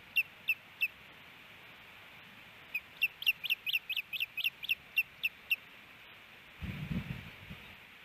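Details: Osprey pair at their nest in Hellgate Canyon, Missoula, Montana, April, male hushing the female: rapid sharp chirping whistles in quick series, ending with low rustling and thumping at the nest.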